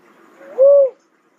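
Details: Cuckoo-dove uttering one soft, level, hooting coo that swells and fades quickly, with faint background hiss.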